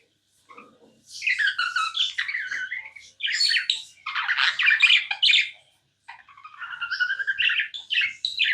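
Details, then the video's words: Tame budgerigar keeps up a running warble of buzzy, rapidly changing chirps in three long phrases separated by brief silences; a faint soft note opens the recording. "Non stop budgie chirping sounds"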